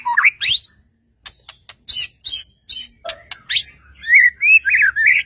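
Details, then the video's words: White-rumped shama singing an energetic song to provoke other shamas into answering: varied bursts of sharp rising whistles, high chips and buzzy notes separated by short pauses, ending in a warbled, looping phrase. "murai batu gacor AMPUH untuk PANCINGAN murai batu agar bunyi JADIKAN burung murai gacor EMOSI NYAUT"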